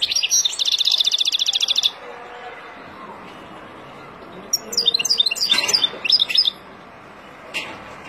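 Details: Wild goldfinch singing to tutor young birds: it opens with a dense buzzy trill, then quiet, then a lively burst of high, jangling twitters, and ends with one isolated chirp.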